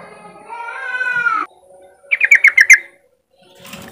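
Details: Yellow-vented bulbul giving riwik-style song, played as a lure to stimulate other untrained bulbuls kept together to sing riwik: a drawn-out harmonic, slightly nasal note, a pause, then a quick burst of about six sharp chattering notes.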